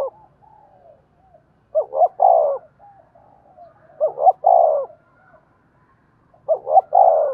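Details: Spotted dove calling in 'giọng đồng' style, played to lure and provoke wild 'giọng thổ' doves: three evenly spaced phrases of two quick hoots and a purring coo, soft murmurs between.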